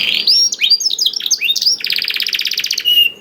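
Canary song: quick, varied high whistled and slurred notes, then a fast, even, buzzy trill lasting about a second before more bright whistles.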